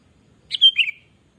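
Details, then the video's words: Sooty-headed bulbul, a lively kutilang used as a lure and for song tutoring: a short two-part phrase, a clear whistled note sliding into a slightly lower warbling second note, in quiet surroundings. "Kutilang Gacor Pancingan"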